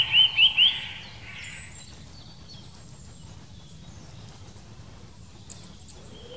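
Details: Eurasian nuthatch in the Wittlicher Senke, Germany: three loud, clear whistled notes, each rising quickly, spaced about a quarter second apart at the start, then quiet background with two faint high ticks later.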